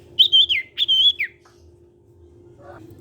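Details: Sirtu (ashy tailorbird) of the cipow type sings to make other sirtu birds follow, giving two loud high whistled phrases with sliding notes, then silence apart from a faint steady hum.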